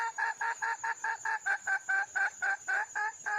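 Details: Red junglefowl hen, wild, calling for a male partner: a steady chain of about fourteen resonant, nasal clucks, each short and evenly paced, while a continuous high insect buzz runs underneath.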